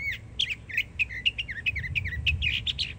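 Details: Young Northern mockingbird in Florida singing a rapid stream of varied chirps and slurred notes, about four per second, over a soft low rumble.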